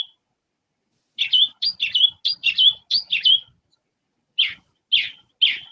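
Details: Northern Mockingbird at Moundville Archaeological Park, Alabama, sings a quick run of bright, chirpy two-part phrases, each repeated three or more times as a mimic, then three slower slurred notes.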